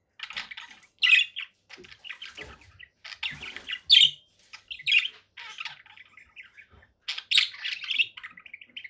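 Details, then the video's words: Conure parakeet giving squawks and chirpy chatter, loud harsh notes roughly every second or two mixed with softer scratchy twittering. "7 hours of relaxing conure parakeet sounds"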